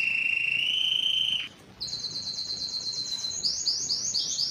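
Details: Belgian canary singing to attract females for breeding, opening with a long pure whistled note, a brief gap, then a fast high trill turning into repeated rising chirps.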